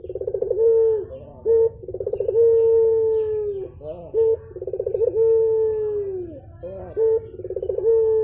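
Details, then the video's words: Morning cooing of a Javan turtle dove, called puter, in active voice. Pulsed rolling notes lead into long level hums that drop slightly at the end, with brief clipped coos between each phrase. The pattern repeats steadily throughout. "BURUNG PUTER GACOR"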